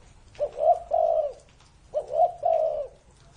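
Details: Spotted dove (Spilopelia chinensis), a cage bird over 30 years old, singing: two low, husky cooing phrases about a second and a half apart, each a short coo followed by a longer, rolling two-part croo.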